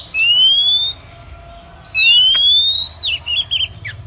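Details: Lure recording of a female Oriental magpie-robin for trapping wild birds: two long, pure whistles gliding upward, then a cluster of quick warbled chirps, over a steady high background hum.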